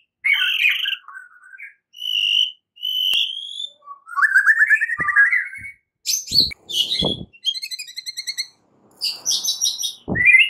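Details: Morning fighting song of a white-rumped shama: separate whistled phrases and a fast buzzy series, then chattering trills, broken by several sharp low thumps.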